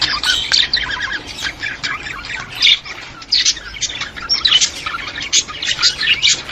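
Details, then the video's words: Budgerigar warble meant to stimulate other budgies: busy high chattering with short squawks and whistled notes overlapping continuously, the louder bursts coming every second or so. "اقوي صوت يساعد على تحفيز طيور البادجي"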